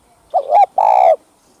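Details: Spotted dove coo meant to excite captive males: a wavering two-part opening hoot, then a long, rich, level coo that drops slightly at the close, clear and loud.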